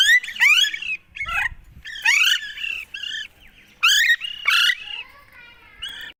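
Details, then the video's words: Talking parrot producing a busy run of squawks, chattering notes and whistled phrases, loud and continuous with short gaps. "बात करने वाले तोते || Bolne Wala Tota || parrot"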